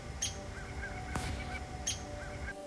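A Downy Woodpecker gives two short, sharp, high 'pik' notes about one and a half seconds apart. There is a click between them and faint music underneath.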